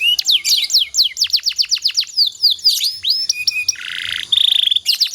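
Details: Canary song used as a master for training other canaries: a run of sharp downslurred whistled notes at about four per second, then a buzzy roll and a fast rattling trill.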